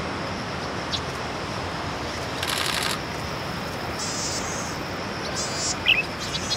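A bright-headed cisticola gives a few short, high, buzzy notes and a brief sharp chirp over a steady hiss of background noise.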